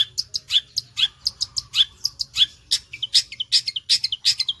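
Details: Lively Long-tailed shrike song delivered fast like a sewing machine: clipped chips and downslurred whistled notes in quick, uneven succession, with a soft low hum behind.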